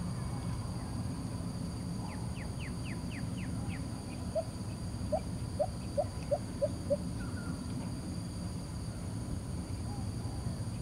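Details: Lesser coucal singing in Singapore: a short run of about six hollow, evenly spaced notes, each slightly rising. Earlier, quick high chattering strokes come from another bird. A steady low hum and high electrical tones run throughout.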